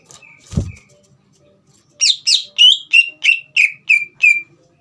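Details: Caged green leafbird in full song, used to provoke a young speckled bird into singing: after a low thump, a run of eight loud, clear whistled notes, each sliding down, repeated about three per second.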